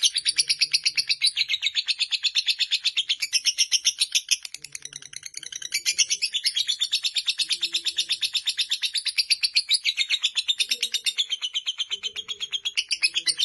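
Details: Fighter lovebird in a sustained chattering song: a dense, fast run of shrill scratchy notes nearly three per second, briefly softening midway, with faint lower chirps behind.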